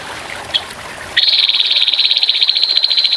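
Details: Grey-headed fulvetta in a birdsong training recording of its rough 'tembakan kasar' song, set over trickling water. After a quiet start, a fast, dry, even trill starts abruptly and runs for about two seconds.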